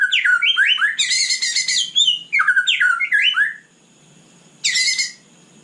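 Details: Singing at night, a white-rumped shama delivers loud rapid rising whistles mixed with harsh rattling bursts, a short silence, then one more harsh chattering note.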